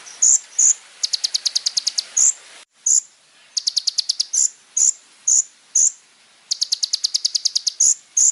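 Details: Little spiderhunter song, used as a tutor recording for other songbirds: very high, sharp repeated ticking notes in fast bursts of about ten, separated by single clear whistled chips, in a quiet background with a brief gap.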